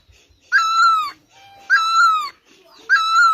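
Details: Great barbet in Asia: three loud, rich nasal notes, each about half a second long. Each note has a brief rising start, then a level tone that droops at the end, repeated roughly every 1.2 seconds. A faint low tone sounds between notes.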